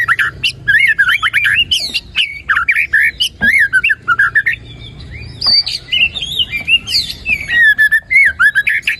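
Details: White-rumped shama singing vigorously, a lure recording meant to get a lazy, quiet bird singing: rapid varied whistled phrases with sharp up-and-down sweeps, interspersed with clicks and harsh squawky notes, almost continuous.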